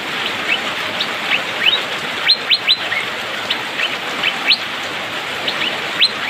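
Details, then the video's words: Asian fairy-bluebird, locally called cucak biru or pikpik, singing in the rainy season, energetic and fast: short sharp upward-flicking chirps, some liquid notes, scattered irregularly, over a steady hiss of rain. "Cucak biru/pikpik,musim hujan auto gacor speed rapat"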